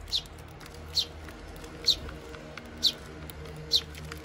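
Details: Eurasian tree sparrows, adults and young, feeding at a bird feeder in Japan on 7 June 2023; short high chirps repeated about once a second, five in a row, over steady low background hum.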